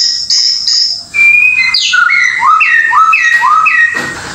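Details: Indonesian white-rumped shama singing high buzzy notes, then a clear whistled phrase repeated about four times, each note rising then falling, evenly spaced about half a second apart.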